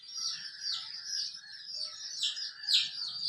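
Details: Hen and colorful chicks: quieter, overlapping high chirps from several chicks, a few clearer falling peeps toward the end, and faint low rustling.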